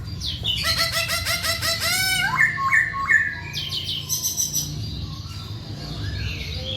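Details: Poksay Hongkong, the masked laughingthrush, sings vigorously: rich harmonic squawks and rapid chattering notes, then a few clipped whistled phrases and softer chirps, with a faint background hum.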